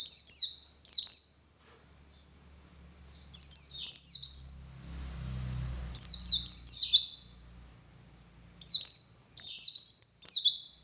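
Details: Pleci dakun white-eye, a tutor bird for other white-eyes, delivers ngalas song: repeated rapid strings of very high, downward-sweeping twitters in several bursts, with a faint low hum mid-recording.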